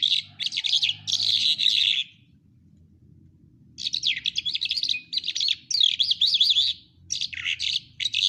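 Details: Quetta lark song: a short burst of buzzy notes, a pause, then a long run of rapid, varied warbling with wavering trills and chattering, low background hum.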